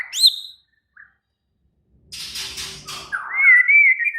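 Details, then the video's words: White-rumped shama in an excited, agitated mood: a high upward whistle, a brief note, then a burst of harsh noise and a sustained wavering whistle. "Murai batu langsung EMOSI TERPIKAT suara murai batu ngamuk AKTIF"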